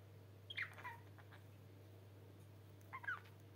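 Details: A pet budgerigar perched on its owner's hand outside the nest gives short, scratchy warbled chirps in two brief bursts over a low steady hum.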